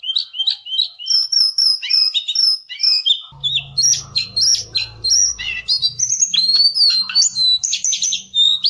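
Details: Javan cochoa in a songbird training recording, pouring out a rapid, varied run of clear whistled notes and chirps, rising and falling phrases following each other without pause, with a low hum joining partway.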